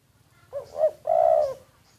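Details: A decoy spotted dove recorded in secret utters a single low phrase, two quick looping notes running into a sustained, gently falling mellow coo.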